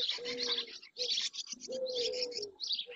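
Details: Barn swallows by the dozen, including many juveniles, crowd the marsh edge in Doñana, Spain, in early June; bright, high chattering chirps come in three close bursts, mixed with longer low, even calls of other birds.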